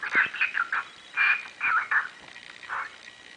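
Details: A male cockatiel gives short, scratchy chirps in quick, irregular bursts.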